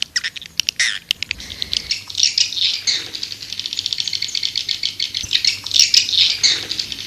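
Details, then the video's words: White-nest swiftlet call meant to attract swiftlets: a few separate clicks, then a long, fast, rattling buzzy trill that swells and fades in high chattering waves. "Suara Panggil burung walet"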